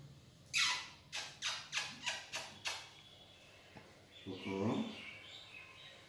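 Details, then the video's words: A green-winged macaw named Coco gives a run of about seven harsh, raspy squawks, each roughly a third of a second apart, followed by a person's voice. "Green wing macaw"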